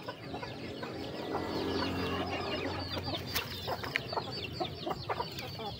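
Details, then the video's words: Chickens at their food: a dense bed of low murmuring clucks with many short, thin, downslurred high peeps and pecking clicks repeated several times a second. "The sound of chickens eating"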